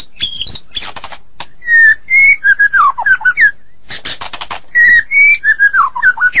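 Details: White-rumped shama of the Medan type in energetic song. Raspy bursts alternate with runs of descending whistles and wavering notes, repeated in two similar sequences.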